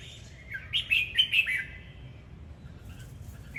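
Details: Singing and dancing Red-whiskered bulbul gives one short, bright phrase of four quick whistled, warbling notes, rising then dropping, followed by quiet hum with faint distant chirps.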